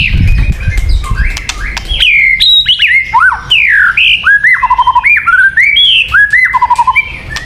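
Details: White-rumped shama song for luring birds: clear, fluty whistles, some falling and some rising, with short rattling trills and crisp clicks.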